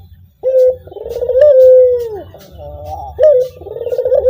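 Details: Ringneck dove (puter) calling right after a lure sound is played: a deep, mellow rolling coo, a short note swelling into a long drawn phrase, over a low steady background hum.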